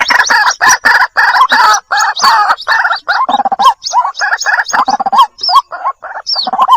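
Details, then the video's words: White-breasted waterhen chicks calling for the mother bird, used as a lure: loud, harsh, gargling bursts that fill the first half, then separate rising notes with occasional thin squeals. "SUARA PIKAT BURUNG RUAK RUAK //SUARA ANAKKAN MEMANGGIL INDUK!!"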